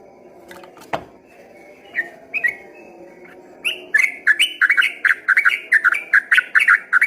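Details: Yellow-vented bulbul in 'ropel gacor' song, first thought from a distance to be a straw-headed bulbul: scattered soft notes and a sharp click, then from midway a rapid run of loud bubbly whistles.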